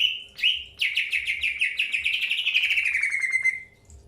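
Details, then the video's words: Greater green leafbird in early pairing: two clear whistled notes open a long, rapid rattling trill that slowly drifts lower and fades out after about three seconds. "PROSES PENJODOHAN AWAL BURUNG CUCAK HIJAU"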